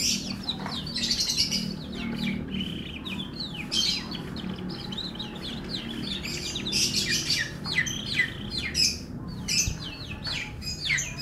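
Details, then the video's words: Canary, an F1 bird, singing a melodious song: rapid trills and sweeping chirps, bursts of descending and rising notes run together continuously, with low background hum from a small room. "KICAU MERDU KENARI F1"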